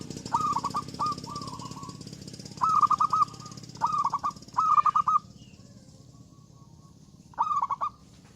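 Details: Zebra dove in full, loud song, singing to invite rivals to answer; bursts of rapid, pulsed, mellow cooing notes at a steady mid pitch, about six phrases across eight seconds with short pauses between, over a constant low background hum.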